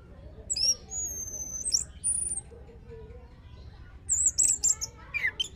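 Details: Orange-headed thrush song used as a lure to prompt other thrushes to sing: high, thin whistled phrases with quick sweeping notes and scratchy bursts, in short runs with brief pauses over a soft background hum.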